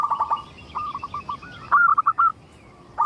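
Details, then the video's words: Local zebra dove singing actively, used to lure other zebra doves into song: rapid burst of short soft coos, a pause, spaced notes, a rising slurred note, then four louder clipped coos, with a final note starting at the end. "Suara indah perkutut lokal gacor untuk pancingan"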